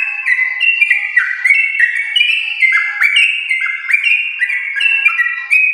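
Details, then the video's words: A prolific champion-line yellow-vented bulbul delivering rapid 'ropel' song to prompt pet birds: tightly packed, bright slurred whistles overlapping one another without pause. "Trucukan gacor ropel panjang TRAH JUARA untuk pancingan trucuk rumahan"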